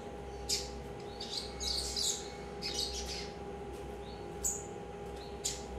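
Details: A 3-month-old Double-collared seedeater chick from a breeder gives scratchy, high chirps in short bursts every second or so, over a steady electrical hum.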